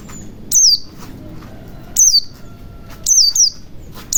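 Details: Ngalas white-eye sound for prompting silent white-eyes to open their beaks and sing: three bursts of high, shrill, descending chirps, the last a doubled note, spaced about a second apart.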